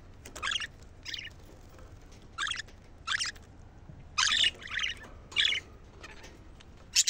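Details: Excitement calls of budgerigars, aimed at prompting females to mate: scratchy, buzzy chirps, some doubled, scattered irregularly, with a louder cluster of grating notes toward the end.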